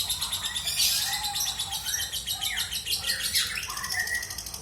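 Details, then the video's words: Pet lovebird in ngekek style: an unbroken, busy chatter of high chirps, brief swooping whistles and scratchy notes, steady in loudness, pouring on without pause throughout. "LB MIAR NGEKEK 2 MENIT"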